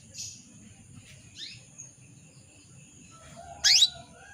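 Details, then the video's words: Female canary calling a male: soft scattered notes, then a single loud upswept chirp near the end, over a low continuous hum and high steady tones. "PANCINGAN KENARI BETINA MEMANGGIL JANTAN"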